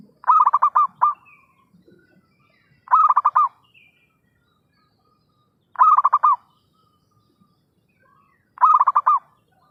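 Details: A zebra dove's lure call used for trapping birds: four bursts of rapid pulsed cooing, roughly every three seconds, the first followed by an extra short note, with a clean, quiet background.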